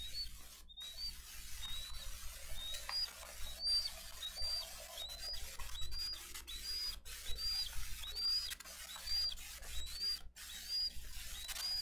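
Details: Bald eagle nest in Dade County on 22 April 2023, parents delivering fish and feeding eaglets. A long run of faint, high, upslurred peeps repeats steadily through a hissing, crackling background, with occasional clicks.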